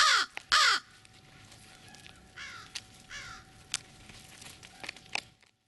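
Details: Close-up crows of Chatham-Kent: two loud rasping caws open the recording, followed by several fainter, more distant caws over steady background noise.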